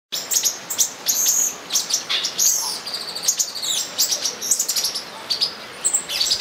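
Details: Olive-green tanager during mating at São Bento do Sul: busy high chirps and short buzzy notes, several overlapping calls in quick irregular bursts, bright and sharp, with a faint background hiss.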